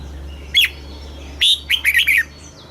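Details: Red-whiskered bulbul singing a southern master-style phrase from Thailand, used to rouse caged birds and train young ones: one sharp note, a gap, then a rapid chain of clear, warbled whistles, low hum underneath.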